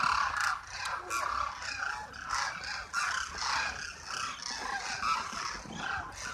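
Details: A large flock of Demoiselle cranes at Khichan village, Jodhpur, Rajasthan, India, calls at once, a continuous overlapping chorus of harsh, rolling croaks and trumpeting notes with no break.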